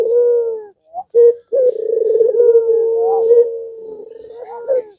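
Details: Long-cooing puter pelung (Barbary dove) voice intended to make other doves answer: one extended steady low coo with a slight wavering trill, after short opening notes.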